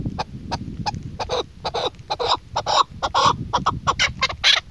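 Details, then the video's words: Female chukar partridge used as a hunting decoy bird, giving rapid clucking calls, short broadband notes about two per second in irregular bursts over low background rumble. "keklik sesi shikari chakor sound voice awaz||dasi shikari madi"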